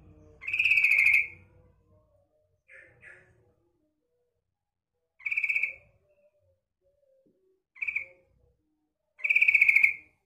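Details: Female sooty-headed bulbul calling to lure males: loud bubbly phrases of about one second, repeated at irregular intervals of two to four seconds, with softer short double notes between.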